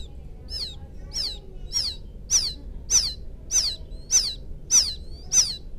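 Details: Young field quail calling for its mother, used as a lure: nine thin, high descending peeps, evenly repeated about every 0.6 seconds and growing louder toward the end.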